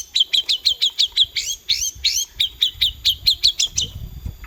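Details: Long-tailed shrike song: a rapid run of about twenty sharp, chattering high notes, evenly repeated several times a second over four seconds, with faint low rumbling beneath.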